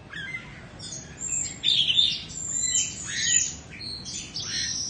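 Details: Caged Indonesian-stock Oriental magpie-robin, a two-season bird described as flawless. It sings a rich, varied song of high whistles, harsh scratchy bursts and falling sweeps with short pauses. Low background hum runs throughout.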